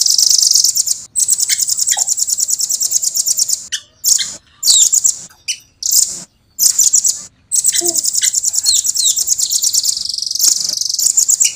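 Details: Velvet-fronted nuthatch singing clearly and persistently: long high rolling trills of closely packed pulses, interrupted midway by a series of short bursts, then another extended rapid trill.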